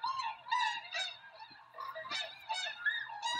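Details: Close, loud tundra swan honks from Rosedale and Munson, Drumheller, Alberta, Canada: nasal, harmonic-rich calls in quick, uneven bursts, some bugling upward, roughly several per second.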